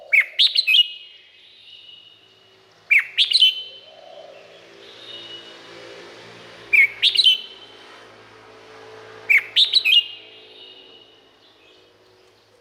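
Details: Red-whiskered bulbul song recorded in Thailand: four short, bubbly whistled phrases of three or four notes, repeated about every three seconds, with faint low background hum.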